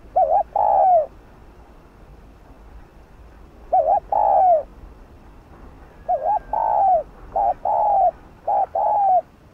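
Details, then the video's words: Spotted dove giving 'gù' coos to stimulate captive lure birds: wavering double notes each followed by a falling low coo, first spaced about three seconds apart, then running together in a quicker burst toward the end. "Cu gáy GÙ (bo) cực hay kích mồi,bổi căng lửa gáy sung"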